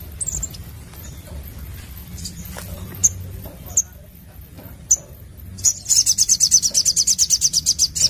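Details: Sogon sunbird giving a few isolated sharp high chips, then breaking into a fast, even, shrill trill of more than two seconds over a faint low rumble.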